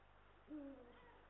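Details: Eurasian eagle-owl, male and female together at the nest, recorded by an Estonian live nest camera on 18 March 2022; one low, mellow hoot that slides gently downward, with soft hiss behind it.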